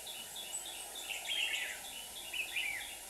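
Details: Decoy red-whiskered bulbul song during trapping in Hòa Bình, Vietnam: two loud, quick warbled phrases with sliding whistles, over a high steady hiss.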